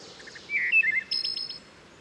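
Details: Wood Thrush sings one phrase of soft low notes, a fluted middle passage and a high shimmering trill, with woodpecker drumming as percussion, richly reverberating off a steep forested stream valley at Herring Run, Susquehanna State Park, near Havre de Grace, Maryland.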